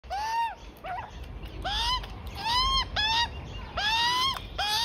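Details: Juvenile Australian magpie with its parents at lunch in a front yard, a resident family visiting daily: harsh, nasal, arched squawks around one kilohertz, rich in overtones, repeated roughly every second in a steady series.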